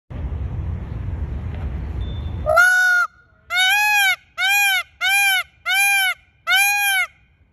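A peacock gives a run of six loud, nasal, wailing calls, each about half a second long, spaced under a second apart, after a stretch of low rumbling noise.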